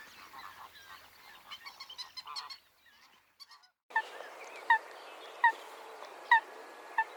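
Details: Wetland Coot recorded in its natural habitat: a soft, jumbled chatter and a short pause, then clipped, sharp notes repeated roughly every 0.8 seconds over steady background hiss.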